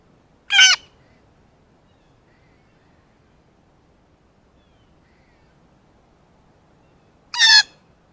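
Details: Blue jay, excited on seeing a ripe banana for the first time and giving a variety of calls, including a monkey impersonation: two loud, harsh, raspy bursts about seven seconds apart with quiet outdoor background between.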